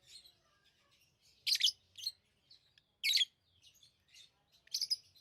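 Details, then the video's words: Lovebird chirping in three loud, harsh, high-pitched bursts about 1.5 seconds apart, with soft squeaks in between. "Love birds Sounds | lovebirds chirping sounds"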